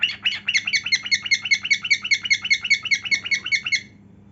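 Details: Cockatiel singing while dancing and displaying its heartwings: a fast run of about eighteen short, harsh, harmonic chirps, roughly four a second, then silence, with a low steady hum behind.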